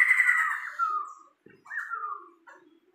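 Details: Tame, very vocal caged Sumatran laughingthrush: a harsh descending rasp, then a clearer falling whistled note and softer trailing chatter.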